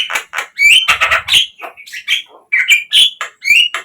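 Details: Javan myna song played as a lure to get captive birds singing: harsh chattering notes mixed with short whistled upslurs and squeaky phrases, loud bursts separated by brief pauses.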